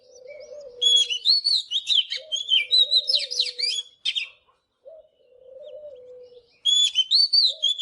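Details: Oriental magpie-robin in morning song, for training: two long bursts of quick whistled and scratchy phrases, separated by quiet, over a repeated low cooing in the background.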